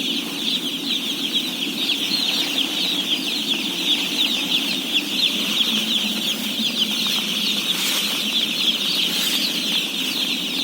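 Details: A huge flock of day-old chicks, around 17,000, peeping nonstop at feeding time; the high chorus rides over a faint low hum, with occasional soft knocks.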